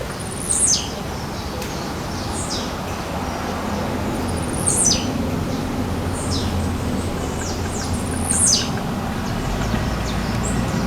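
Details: Blue-black grassquit singing while it jumps in the forest: three emphatic, descending buzzy notes spaced about four seconds apart, with fainter high chirps between and low rumbling background noise.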